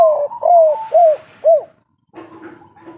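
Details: Spotted dove, local and wild, kuk-3 style: four clear, mellow coos, each swelling and dipping in pitch, roughly half a second apart, followed by a faint rough note.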